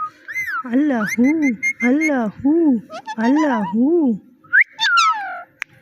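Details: Talking parrot saying "Mitthu" and "meow": a series of arched, nasal, speech-like syllables with strong overtones, roughly one every half second, ending in two higher squeaky slurred whistles.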